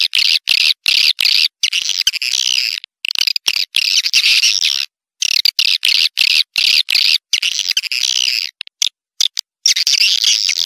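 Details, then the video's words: Swiftlet chatter: high, hissing twitters in quick bursts roughly every half second, uneven rhythm, continuous flock-like sound with short pauses. "Suara walet terbaik 2020"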